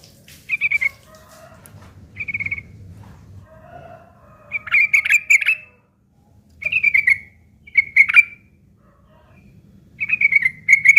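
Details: Sooty-headed bulbul recorded as tutoring material for long-tailed shrikes, in a rough ngeriwik kasar style: scattered short buzzy bursts and slurred whistles, some rising then falling sharply, with faint low murmurs between them.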